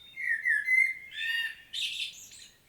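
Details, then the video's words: Common blackbird recorded in Świnoujście, Poland, on 25 September 2022: a smooth, flowing fluty warble, a richer middle phrase, then a burst of scratchy high-pitched twittering. "Blackbird's solo"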